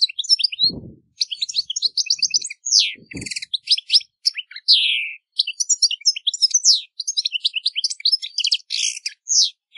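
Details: European goldfinch (Carduelis carduelis) in nature with a long, busy song. Liquid twitters, sharp chips and slurred whistles tumble along almost without a break, with a few faint low knocks early on.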